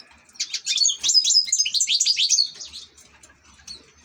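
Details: A European goldfinch, an ornamental cage bird, gives a quick burst of bright, liquid twitters and trills lasting about two seconds, followed by a few faint chirps.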